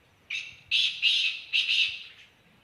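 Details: Black francolin from Khushab giving its call: four loud, rasping, buzzy notes, the first short and the next three longer, with brief gaps between them against a quiet background.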